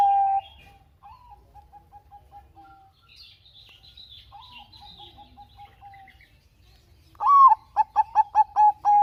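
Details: Bangkok-type zebra dove cooing, used as a lure to get other doves singing: a series of soft, even notes near one pitch, then a loud burst of rolling, repeated coos at the end, with faint higher chirps from another bird.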